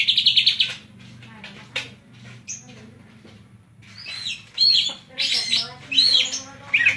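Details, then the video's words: Scattered high chirps and short bright whistled notes from a greater green leafbird of Banyuwangi with kapas tembak fill, separated by pauses, against a faint low hum. "Cucak ijo banyuwangi isian kapas tembak"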